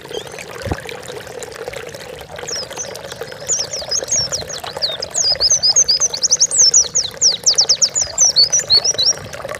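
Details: Oriental white-eye singing for use as training material for pet birds. The song is quiet at first, then becomes a dense, rapid sequence of thin, high, sliding notes. A low mechanical hum runs throughout.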